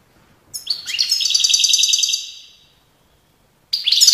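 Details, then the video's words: European goldfinch song recorded in Tiaret, Algeria, in 2019: a rapid, bright, twittering phrase of high trilled notes lasting about two seconds, followed by silence and the start of another sharp tinkling burst. "chant chardonneret tiaret 2019"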